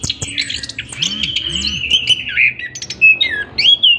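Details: Orange-headed thrush (Geokichla citrina), song.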